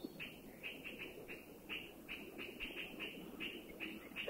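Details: Puff-throated Bulbul in a Thai national park forest, a sentinel species that warns of people or danger, giving harsh, nasal chattering notes in quick, uneven bursts of two or three a second, over a low hum.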